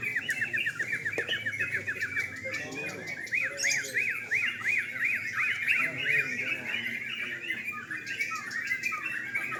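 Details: Sooty-headed bulbuls singing at a night-time bird contest: a dense chorus of overlapping chattering notes, with one bird giving a quick run of about ten repeated rising-falling whistled notes, and men's voices murmuring in the background.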